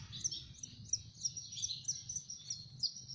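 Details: Young canaries being hand-fed make a steady stream of high, sharp chirps, each note a squeak or double squeak, repeated several times a second over a soft low rumble.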